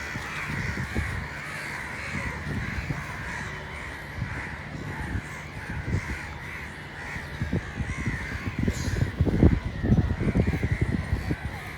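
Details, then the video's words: Crows cawing loudly: harsh, nasal caws tumbling over each other in rapid, uneven succession, with dull low rumbling and thumping noise underneath that grows busier toward the end. "Loud Crow Noises, Kak Pakhi Sound, Kauwa Ki Awaaz, Kakkar Dak"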